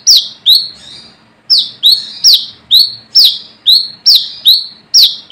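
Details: Brown-throated sunbird calling wild in the forest, challenging rivals and used as a lure: loud, high, sharp notes dropping into brief buzzy tails, repeated about two or three times a second with one short pause.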